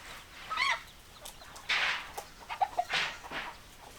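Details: Chickens clucking: short, bright, hoarse calls in uneven bursts, a louder drawn-out squawk near the middle, then a quick run of clipped clucks toward the end over a quiet background.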